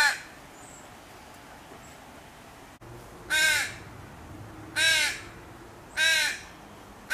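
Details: Baby crow screaming at its mother for food; after a quiet stretch and a click, three hoarse arched caws about a second apart, another starting at the end.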